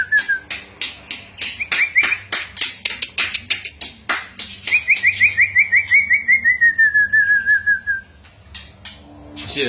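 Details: Lively, chattering pet white-rumped shama singing in a back-and-forth with its owner: a rapid run of sharp, harsh notes, then a long series of repeated whistled notes slowly falling in pitch, with a voice at the end.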